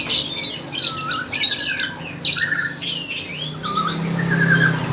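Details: Lovebird in full contest song: dense bursts of harsh, buzzy chatter alternating with short sliding whistles, irregular rhythm, low hum beneath.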